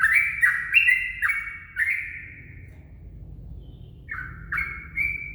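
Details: At dawn a yellow-vented bulbul, used as a lure, gives a cluster of liquid chattering notes, falls silent for about two seconds over background hum, then resumes with a couple of clear slurred notes.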